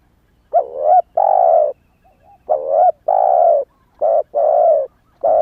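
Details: Spotted dove used as a lure, a young bird just starting to call, still in wild plumage; repeated soft coo phrases, a wavering note then a long even coo, given rapidly with little pause between them.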